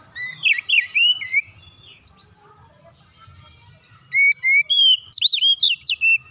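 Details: Oriental magpie-robin lure song to set other birds singing: an opening burst of swooping whistles, a quiet gap of nearly three seconds, then a longer loud run of level and looping whistled notes.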